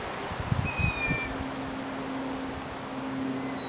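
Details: Young long-eared owls recorded in Latvia, 6 July 2018, giving one strong high squeaky shriek of about half a second, then a faint distant reply, against constant hissing background and a low hum.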